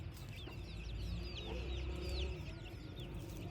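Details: Morning in a village with chicks peeping: clear, high, drawn-out downward-curving chirps repeated rapidly, over a strong low engine-like rumble.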